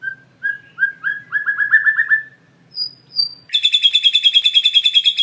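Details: Lively caged-style White-rumped shama (murai batu) lure song, full isian: repeated whistled notes speeding into slurred phrases, two thin high whistles, then a fast buzzy trill rattling on for about two seconds.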